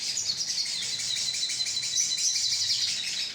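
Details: Continuous high-pitched twittering of a crimson sunbird colony, a lure recording; thin, rapid overlapping chips without a break.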